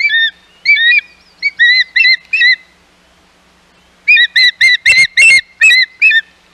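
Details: Hog Island nest ospreys on 11 May 2021, with intruders around: a run of five clear, whistled, slurred notes, a pause, then a faster, louder burst of about eight piercing whistles.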